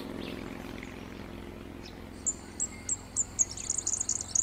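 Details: A local Red-backed Fairywren song played back on a male's territory in a playback experiment: thin, very high reeling, built from quick repeated notes that speed into a trill; the male then attacks the model.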